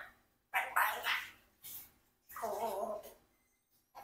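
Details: Four-year-old adopted Congo African grey parrot kept as a pet, talking after running out of favourite treats: quick voiced speech-like syllables, a separate shorter utterance, then a longer drawn-out vocal phrase in an indoor room.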